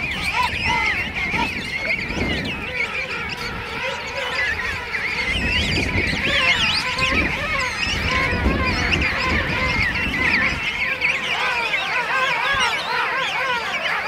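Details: King Penguin colony of thousands at Right Whale Bay, South Georgia Island, Christmas morning 2008; continuous chorus of trumpeting, warbling calls from many birds, with some low rumbling noise underneath.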